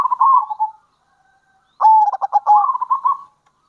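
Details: Local zebra dove uttering lure calls in kerot and bekur style; a soft rolling coo, a pause, then a longer phrase of choppy staccato pulses easing into a smooth bubbling trill.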